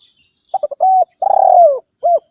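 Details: One full coo phrase from a spotted dove calling to rivals. Stuttering short notes lead into a level coo, then a pulsing drawn-out note falling in pitch, and a short ending coo. A faint higher chirp sounds at the start.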